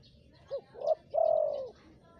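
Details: Energetic spotted dove call used for luring wild birds: a soft short note, a rising coo, then a long sustained croon that slowly falls away, with faint outdoor hum behind.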